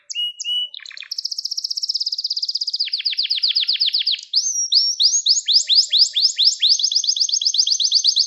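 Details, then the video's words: Gloster canary singing a training song meant to stimulate males: brief chips, a long high tremolo, a run of descending sweeps, then clear rising whistles repeated in a quickening series. "Gloster Kanarya Eğitim Sesi Canlı Görüntü | Gloster Kanarya Ötüşü Erkek Huylandırma Ve Kızıştırma"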